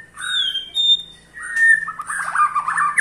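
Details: White-rumped shama ketrekan, a call to make other shamas sing. Brief high whistles open, then a steady whistle runs into a quick rattling series of short repeated notes.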